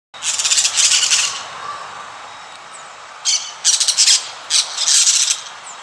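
Yellow-chevroned Parakeets giving harsh, shrill, buzzy screeches in short bursts of rapid chatter, several within a few seconds, with a quiet background.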